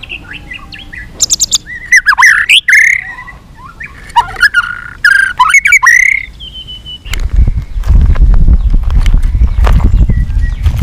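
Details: Fighting song of a white-rumped shama that flicks its tail, with varied whistles, trills and chattering notes, then loud low rumbling noise for the last few seconds.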